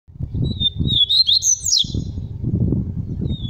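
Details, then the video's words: Tui tui papa-capim seedeater singing: a quick run of high, thin whistled and twittering notes that slide up and down, with steady low rumbling noise underneath. "Tui Tui puro papa capim"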